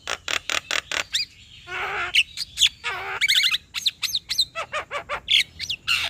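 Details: Black-winged myna male in full song meant to rouse a quiet rival, pouring out loud repeated harsh chatters, rasping bursts and twisting whistled notes in a fast, steady stream.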